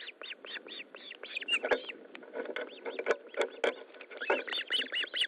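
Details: Ospreys at the nest during a fish delivery, 13 July 2012 at 20:15, give rapid, shrill whistled chirps, several per second, in an excited run against a steady low rumble of wind.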